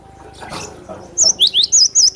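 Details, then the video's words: Cinereous tit song used to provoke and tutor other birds: after a soft rustling start, five loud, high, sharply slurred whistled notes follow in quick, even succession. "Suara burung Glatik batu pemancing emosi pemasteran"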